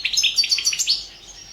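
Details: Brief phrase of European goldfinch contest song, recorded for an internet world championship: about a second of quick, bouncing chirps and slurred notes, then fading quiet.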